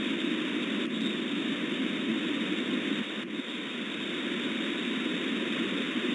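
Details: Steady broadband roar of an aircraft or vehicle engine fills the whole recording, with no animal calls heard.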